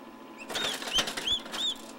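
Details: Turkey poults hatching in an incubator, giving a few thin, high, slightly arched peeps, about four in two seconds, over soft tapping and rustling clicks.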